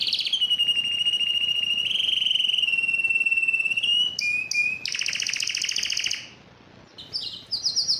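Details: Yellow canary in song, holding a long, even rolled trill, dropping to a lower whistled note, bursting into a loud buzzy rattle, briefly falling quiet, then giving quick high chips.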